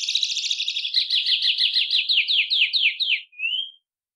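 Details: White-bellied Seedeater (patativa-chorona) delivering one of its five song variants: a dense, buzzy high trill breaking into rapid repeated downslurred notes, ending in a short rising whistle.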